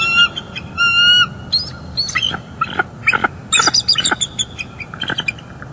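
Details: Nesting bald eagle pair, northeast Florida, December 2021 morning, vocalizing between mating and incubating: a couple of drawn-out piping notes followed by a rapid, uneven chatter of short high chips.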